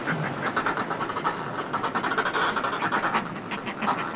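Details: Close-up of Northern fulmars calling from groups displaying on cliff ledges: continuous throaty, rapidly pulsed cackling that rises and falls in waves, with constant sea wash beneath.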